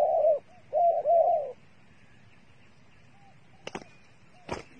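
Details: Dove used as bait giving a few arched coos, one short and two longer, then falling quiet while a couple of sharp clicks follow.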